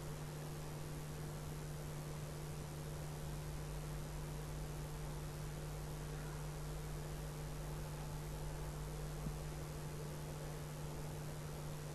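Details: A steady low hum with broadband hiss runs throughout, and no animal calls stand out.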